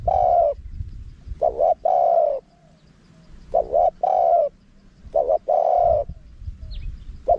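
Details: Spotted dove decoy call in wild-style phrasing with a small voice, used to lure wild doves in quickly. Three deep cooing phrases, each a short double note followed by a long, steady coo, separated by pauses, with faint low background rumble.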